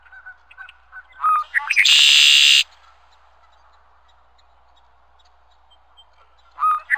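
A red-winged blackbird gives its song: a few short clucking notes, then a harsh, buzzy, drawn-out trill. The song starts again near the end, with faint chirps between.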